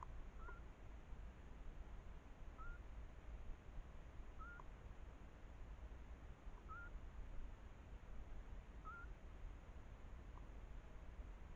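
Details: Eurasian scops owl, a female duetting with a male a few metres away near a nest, perched on a trail camera: short soft upslurred notes roughly every two seconds, faint over steady background hiss.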